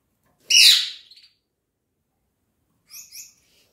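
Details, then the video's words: A domestic canary opens with a loud harsh rasping note that trails into a quick stuttering trill, then falls silent before two doubled high chirps close the phrase. "Il canto del canarino"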